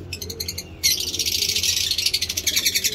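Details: Lovebirds in a breeding cage chirping: a few rapid high chirps, then a dense continuous burst of shrill overlapping chirps and chatter above a low background hum.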